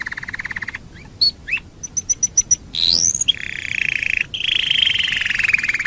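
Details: Canary singing: a rapid trill, scattered upslurred chirps, five crisp high pips, a rising whistle, then extended fast rolling trills.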